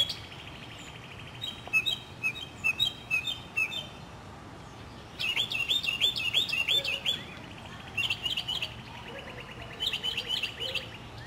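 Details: Northern mockingbird singing in spring in a city neighbourhood in South Carolina, 2008: bursts of rapid repeated high chirped phrases, each series a few seconds long with short pauses, other birds singing faintly in the background.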